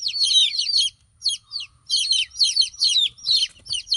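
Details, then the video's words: Baby chickens left without their mother give piercing high peeps, each note sliding downward, in clustered bursts separated by short gaps, including a near-silent pause around one second; soft low background noise. "Witty Hen baby " Chicks chirping ""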